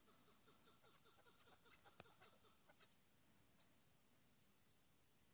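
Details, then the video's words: Chukar partridge, a decoy bird for hunting, giving a quick run of soft clucking 'chuck' notes about six per second, fading after a few seconds, with one sharp click and hissy background. "keklik sesi"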